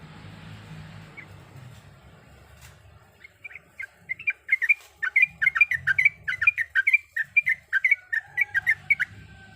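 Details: Female Sooty-headed bulbul calling the male while in breeding condition: low rumbling noise at first, then a lively run of sharp chirps starts after about three seconds and continues to the end.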